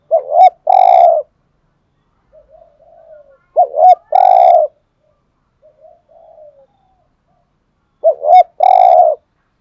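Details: Spotted dove coos in the 'hạp' voice style, meant to spur kept males into calling. Three full phrases come about every four seconds, each a bumpy double note and then a long even hoot. Softer, quieter coos fill the gaps between them.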